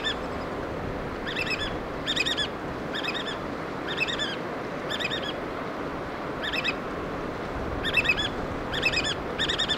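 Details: Adult black oystercatchers bringing food to chicks on the Washington coast, calling in repeated groups of shrill piping notes about once a second, loud and ringing, against a continuous low wash of ocean noise.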